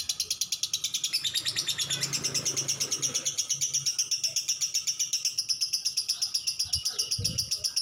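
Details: Caged lovebird in extended 'ngekek panjang' singing, rapid high rattling notes pouring out without pause, rising slightly in pitch near the start, a soft knock near the end.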